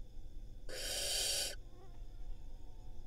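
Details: Barn owl at a nest camera in Israel, spring 2022, where a breeding pair raised nestlings; a single harsh, hissing screech of under a second over a steady low hum.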